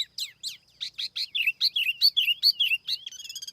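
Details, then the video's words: Loud, clean tiểu mi laughingthrush lure song: a rapid, lively chatter of warbled notes, each note sliding up and down, about two per second, ending in a soft, fast twitter. "TIẾNG CHIM TIỂU MI MỒI KHÔNG TẠP ÂM CỰC CHUẨN"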